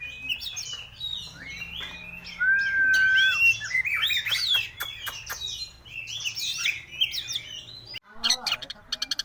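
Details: White-rumped shama delivering a varied song of sustained whistles, fast trills and sharp clicks, ending in a rapid series of chattering notes.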